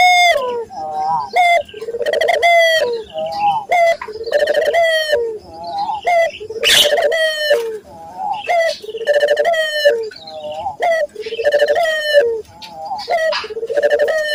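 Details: Local Barbary doves cooing steadily as a lure for training other doves: repeated phrases of an abrupt rising note and a rolling, vibrating coo, about every two seconds, with several birds overlapping.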